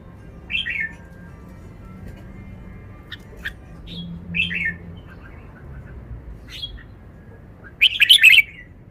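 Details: Red-whiskered bulbul kept in a cage, showing its song phrasing: short, separate whistled notes spaced by quiet gaps, then a louder warbled flourish near the end over a low background hum.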